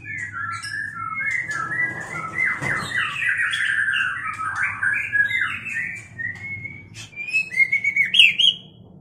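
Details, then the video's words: Mating white-rumped shama pouring out a rich, rapid song of tumbling whistles, chattering notes and squeaky slurs that runs almost without pause, ending in a few sharp, higher rising phrases. A faint low hum sits underneath. "MURAI BATU KAWIN"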